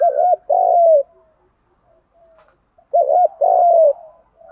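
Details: Spotted doves, male and female, cooing to prompt other doves to answer: two clear phrases, each a short stuttering double coo followed by a long, slightly falling coo, separated by a couple of seconds of near silence.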